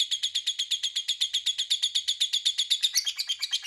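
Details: Lovebird in long ngekek, a lure used to provoke rival lovebirds into answering: a fast, steady string of shrill, buzzy chattering notes, about four per second, running without a break through the whole stretch.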